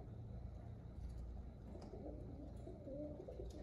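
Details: Pigeons coo quietly, with a clearer throaty, wavering coo near the end, set against a dull low hum.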